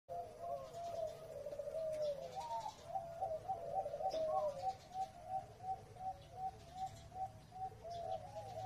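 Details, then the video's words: A Zebra Dove sings an Indo-style song: a soft, rolling series of low cooing trills, bubbling notes repeated several times a second throughout, with faint background hiss. "นกเขาชวาเพลงอินโด สวยๆ"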